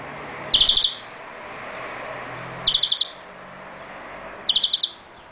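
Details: Young hybrid (mule) from a male linnet crossed with a female greenfinch. It sings three short, bright trilled bursts of about five rapid high notes each, spaced roughly two seconds apart, over a faint steady background hiss.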